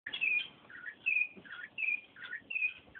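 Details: Campo troupial, locally called sofrê, singing rich, fluting whistled phrases that alternate a higher clear note with lower warbled notes, about four phrases in three seconds, with short pauses between and a quiet background.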